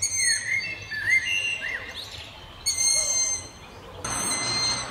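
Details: Young Long-eared Owls calling from trees in the town of Martin in the evening; drawn-out high thin whistles, several overlapping, repeated at irregular intervals, over faint background hum.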